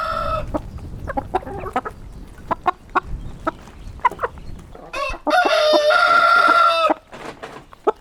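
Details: Rooster: scattered clucks and short calls, then one long, loud, steady crow near the end, lasting about a second and a half.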